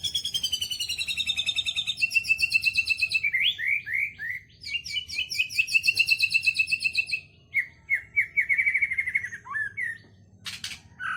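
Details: White-rumped shama delivering kapas tembak and lovebird-style song: long fast rattling trills alternating with short down-slurred whistles, a high warbled run near the end, and a sharp click.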